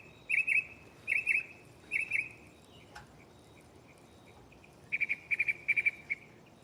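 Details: Mockingbird singing at night from a nearby tree, shuffling through its song catalogue: short, buzzy, high triple-note chirps repeated about once a second, a lone sharp click, then a fresh series of rapid stuttered notes, with steady insect background.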